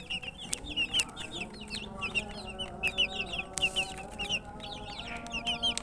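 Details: Chickens' chicks, thirsty for water, chirping in an insistent chorus of high, sliding peeps roughly every half second, overlapping from many chicks, with a few sharp clicks and a low hum.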